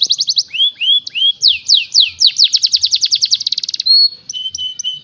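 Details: Canary in full song: rapid trills of high, curved whistled notes repeated in quick series, the pace speeding into a dense rattle before shifting to longer held tones and short clipped phrases.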